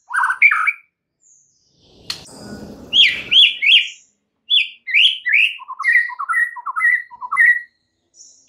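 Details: White-rumped shama singing to provoke other shamas: loud varied whistles, a brief noisy click and rustle, then bright slurred phrases and a repeated pattern of low note jumping to a higher whistle.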